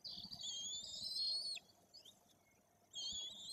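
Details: Young white-tailed eagles in a Bory Tucholskie nest, Poland, close to three weeks old and being fed: a sustained piercing whistled squeal ending abruptly, a pause, then another high piping call.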